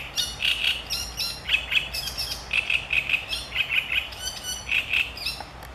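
Marsh warbler singing a fast, varied medley of high chirps, clear ringing notes and brief buzzy bursts, one phrase running into the next without a pause.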